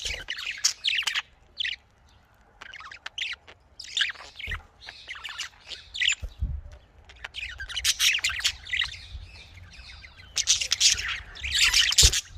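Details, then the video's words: Budgerigar chatter from a breeding setup: a near-continuous stream of quick high chirps, squeaky warbles and scratchy notes, busiest in the last few seconds, with soft low thumps underneath. "Australian parrot voice|Australian parrot ki awaz"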